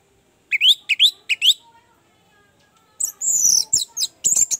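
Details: Orange-headed thrush, a training recording meant to stimulate a stuck, lazy caged bird to sing: a short run of rising whistled notes, a pause, then a higher, scratchier burst of squeaky notes with faint background clatter.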